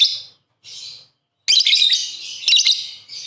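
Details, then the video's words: A pet lovebird, one of a playful pair, chatters in bursts of shrill, high squeaky chirps and twittering: two short phrases, then a longer, busy run of rapid notes. "Lovebird Singing & Chirping Sound"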